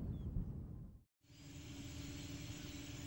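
Low rumbling engine or wind noise with a brief silent cut, and no animal calls.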